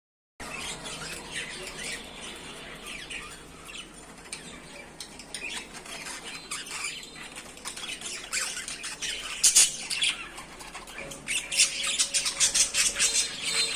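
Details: Budgerigars playing with their toys chatter with busy, high-pitched warbles, chirps and scratchy squawks.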